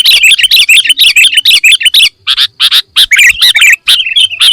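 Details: Sooty-headed bulbul fill-in song: a rolling stream of chirpy, up-and-down whistled notes, fast at first, then split into separate squeaky phrases.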